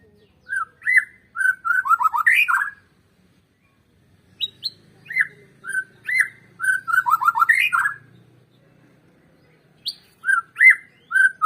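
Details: White-rumped shama song played to prompt birds to sing, heard as three strophes of rich whistles. Each opens with spaced notes and runs into a rapid cascade of slurred, falling notes, with short silences between.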